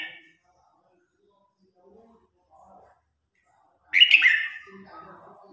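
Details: Red-whiskered bulbul singing in competition to call the flock: a quiet stretch with faint scattered notes, then a sudden loud, liquid warbled phrase with faint chatter trailing after.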